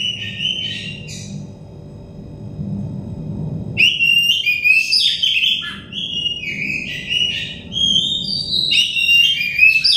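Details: Therapy recording of Oriental magpie-robin song meant to make raw or stressed kacer sing fast: a short whistled bit, a quieter pause with low rumble, then a rich run of varied sweet whistles, trills and sharp chirps.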